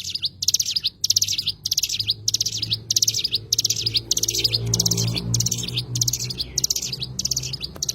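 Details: High, thin twittering phrases from an Oriental white-eye (cigun), about ninety-seven bursts a minute, each a rapid run of sharp notes. A low droning hum runs in the background.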